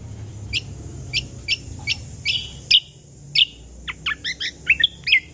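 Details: Ruby-throated bulbul, real voice for training songbirds: spaced sharp chips that quicken into a fast run of bright, varied whistled and slurred notes near the end, with a steady faint hiss behind.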